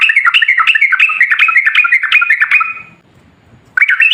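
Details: Lure recording of sooty-headed bulbul song meant to make other bulbuls answer: a steady run of quick, liquid chattering notes repeated for about two and a half seconds, fading to quiet before another burst begins.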